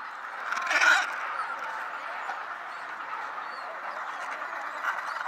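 A penguin gives harsh, braying calls, loudest near the start, then a steady hoarse chatter continues throughout, likely from other birds calling nearby.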